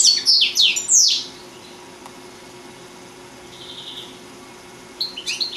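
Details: Four-year-old European goldfinch singing in Sant Salvador de Guardiola: a tight cluster of sweet, high, slurred notes, near silence with a faint buzzy note, then a short burst of twittering.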